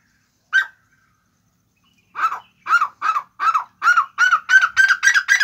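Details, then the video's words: Black francolin calling: a single harsh note, a pause, then a fast run of grating, nasal notes near the same pitch, repeated about three per second and quickening toward the end. "kala tetar awaz. kala tetar masti .kala tera voice. black francolin"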